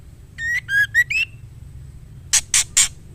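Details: Female murai batu (white-rumped shama) calling to a male: four brief whistled notes with bright overtones, then after a short gap three loud, harsh, scratchy bursts in even rhythm.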